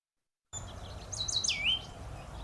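Oak Titmouse: a brief burst of high, slurred whistled notes, the last swooping down and then level, over a low steady hum.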